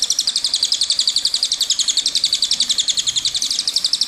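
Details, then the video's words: Cililin in long rolling song, an unbroken stream of bright, high-pitched notes repeated rapidly at a steady pace of roughly four per second. "Suara Burung Cililin Gacor"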